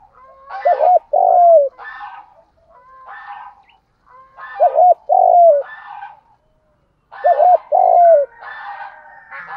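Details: Spotted dove lure call in the thúc gù style used to attract other doves: repeated low cooing phrases of wavering double notes and a drawn-out falling coo, three phrases about three seconds apart, with faint higher chirps from other birds.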